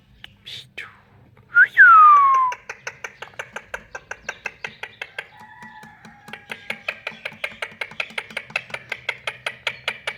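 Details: Pet rose-ringed parakeet, a talking ringneck, being affectionate and cuddling: one loud pure whistle sliding steeply downward, then a long run of short, evenly spaced clicky chirps, about four per second, growing louder toward the end.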